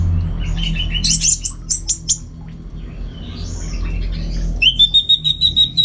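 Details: Home-kept Orange-headed thrush sings quick stuttered chirp series, a soft slurred whistle, then a steady run of about ten evenly repeated bright notes, with faint low hum behind.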